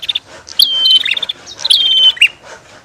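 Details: Two quick bursts from female and male Bar-winged prinia, each a sharp chip falling into a drawn-out flat whistle with a fine buzzy edge and a short lower note at the end.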